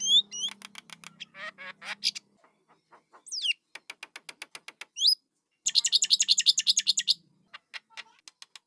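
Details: Young starlings begging with harsh, high chirps in fast series, rising slurred whistles, and a dense loud burst of rasping squawks near the end, interspersed with brief quiet pauses and a faint low hum.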